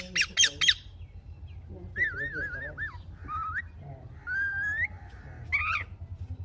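A rose-ringed parakeet gives three sharp screeches, then a string of warbling, speech-like phrases with rising whistled tones, in a small quiet room.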